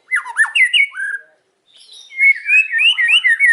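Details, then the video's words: Afternoon singing of a white-rumped shama: loud swooping whistled notes, a second of silence, then a fast warbled string of rising and falling whistles. "KICAUAN MURAI BATU SORE HARI"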